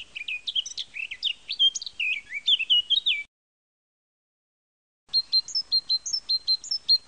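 A rich, jumbled warble from another bird comes first. After a pause, the great tit sings bright, high two-note phrases repeated at a brisk, even pace.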